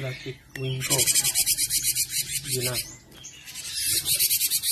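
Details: Song of a cinereous tit for training songbirds: repeated harsh, rasping pulsed bursts, almost continuous, broken by brief squeaky down-slurred notes and a low hum.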